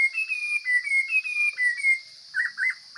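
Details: Singing wild hwamei, Chinese species, pouring out quick, bright whistled notes that rise and fall, then short, lower, richer phrases after a brief pause, with a faint continuous high tone underneath.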